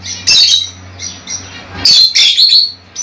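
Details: Pet lovebirds, small African parrots, give harsh high squawks, one burst at the start and a louder double squawk near the end, over a low steady hum.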